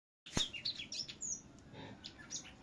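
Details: Finch singing in a contest: a quick run of bright, high chirps and short whistled notes tumbling one after another, opened by a sharp click, then softer scattered chirps over a steady low background hum.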